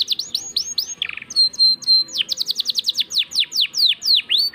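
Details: Canary 'gacor' singing with ornate 'cengkok mewah' phrasing: sweeping whistles, a short harsh buzz, level drawn-out tones, then fast and slower series of falling notes.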